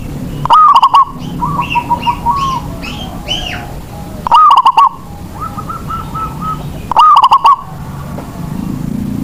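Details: A local zebra dove sings to draw other doves into song: three bright, pulsed phrases of quick rolling coos, spaced a few seconds apart, with fainter chirps and coos in between.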